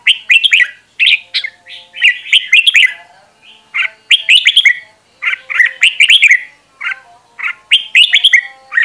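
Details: Fiery song from a decoy red-whiskered bulbul, sung for voice training. Clear bubbly whistled phrases come in bursts roughly every second or so, each rising and dipping, with brief gaps between groups.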